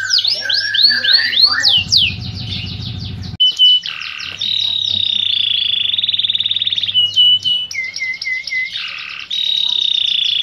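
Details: Canary in full song: quick sweeping notes, a rough noisy burst, then long high rolling trills broken by short whistled notes and a low, dipping warble, with a faint hum behind.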